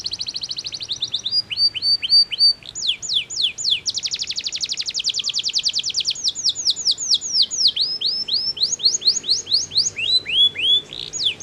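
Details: Canary in powerful song meant to stimulate rival singers: rapid repeated tours of descending whistled notes, shifting to fast trills and sweeping slurs, bright and high-pitched throughout, about three or four notes per second.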